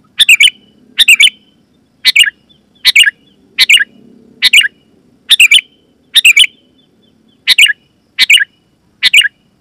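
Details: Sooty-headed bulbul calling vigorously, loud, clear lure call used to attract wild bulbuls in the forest and prompt caged birds to answer; about a dozen short, bright double chirps with a buzzy tail, roughly one per second, over faint low hum.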